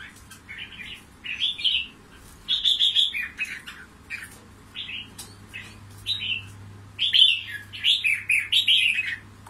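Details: Wild-caught red-whiskered bulbul from Cao Bang, Vietnam, kept as a prized fighting decoy, singing a run of short, cheerful, slurred warbling phrases that rise and fall, grouped in bursts with brief gaps, accompanied by a low constant hum.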